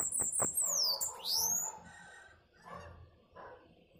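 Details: Bananaquit singing a high, thin, rapid phrase of sibilant notes with sweeping downward and upward slurs in the first second and a half, followed by quieter low rustling sounds.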